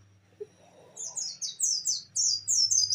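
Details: Oriental white-eye delivering 'nembak' song, a burst of quick, high, downward-sliding whistled notes in tight succession, starting after a quiet second, over a constant low electrical hum.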